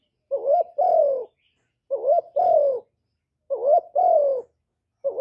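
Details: Cooing of a spotted dove played to excite trapping decoys and males. A two-part phrase repeats about every 1.6 seconds, with a brief upswept coo before a drawn-out, slightly descending hoot. The recording is clean and quiet.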